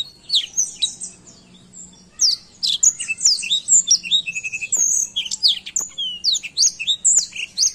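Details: Actively singing black-throated canary used as a training recording: after a brief pause, a dense burst of quick high twitters, sharp downslurs and a short buzzy trill.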